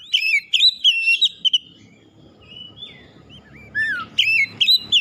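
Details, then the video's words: Oriental magpie-robin singing to stir up a rival: a busy sequence of loud whistled chirps, quieter sliding notes over low background rumble, then a falling whistle and a final energetic burst. "KICAUAN KACER MEMANCING EMOSI LAWAN"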